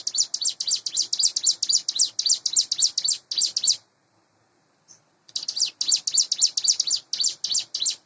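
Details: In the morning, a hand-raised captive Sunda bush warbler of about eight months, in breeding condition, pours out fast, dense strings of high chattering notes, breaks off for over a second with one chip, then resumes.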